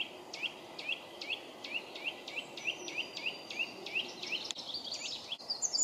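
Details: Eurasian nuthatch (Sitta europaea) on an old beech in Epping Forest, south-east England, early May, bobbing as if displaying, perhaps checking a nest site; a fast series of loud, clear, upslurred whistles, about two per second, with other birds behind.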